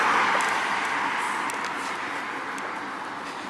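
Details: Broadband traffic-like rumble and hiss fading slowly, with faint high clicks, and no animal voice.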